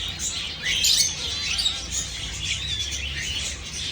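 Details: Java sparrows giving dense, overlapping high chirps and twittering, with a brighter burst of sharp notes near the one-second mark, then steady chattering over a low background hum.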